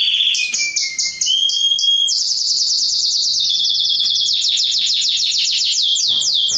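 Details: Male canary singing to stimulate females for mating: varied phrases with a few lower whistled notes, then a long fast series of sharp repeated chip-like notes forming a rapid, rattling trill.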